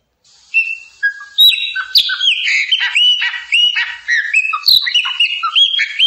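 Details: Chopi blackbird, locally called pássaro preto or papa-arroz, singing a loud, varied song after a brief silence: clear slurred whistles that rise and fall, mixed with buzzy, rattling phrases and a few sharp clicks, delivered almost without pause.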